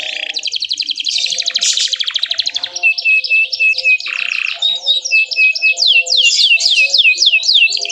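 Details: Canary chirping song that provokes other canaries to join in: a rapid buzzy trill, steady whistled notes, then a long run of repeated swooping slurred notes.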